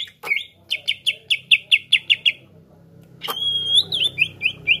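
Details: Greater green leafbird singing its repertoire to stir other leafbirds: a rhythmic string of eight or nine clear repeated notes, a short lull, then a long rising whistle followed by quick twittering notes, over low background rumble.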